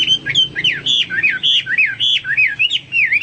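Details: Hwamei in vigorous song: a steady stream of loud, fluid whistles that rise and fall, about two phrases a second, each slightly different, clear and melodious.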